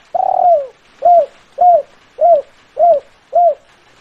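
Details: Spotted dove calling in the "kuk 5" style: one long, drawn-out, falling coo, then five short, mellow, arched coos at even half-second gaps, low and hollow over faint background hiss.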